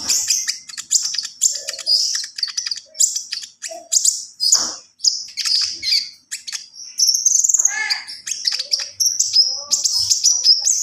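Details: Javan pied starling in continuous gacor full isian song: rapid, chattering series of high, scratchy notes, clicks and squeaky whistles running for over ten seconds with only tiny gaps.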